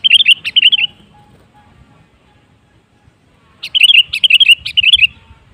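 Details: Sooty-headed bulbul singing to coax other bulbuls into song: two bright, bubbling phrases of rapid whistled notes, one at the start and one after a three-second pause. Only faint low hum lies between them.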